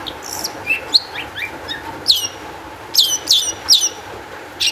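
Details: A lively long-tailed shrike, sung as a lure to get other shrikes singing: scattered twittering notes, then loud downward-sweeping high whistles in a quick cluster near the end, over low steady background hum.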